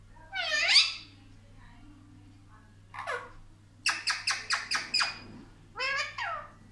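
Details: Indian ringneck parrot, a talker that says 'mummy papa': a loud rising squawk, a softer falling note, then a quick run of six clipped syllables and a final bent, word-like call.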